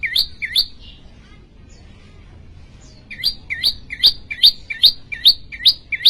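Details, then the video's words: Persistent prinia song. A few paired high chirps, then a short pause, then a steady run of bright two-part notes repeated about two and a half times per second against a faint rumble. "prenjak lumut gacor"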